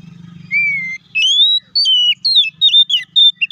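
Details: Kacer, the oriental magpie-robin, singing a provoking song to make rivals respond; a level whistle, then a lively string of rising and falling whistled notes, varied and rapid, with a faint low buzz at the start.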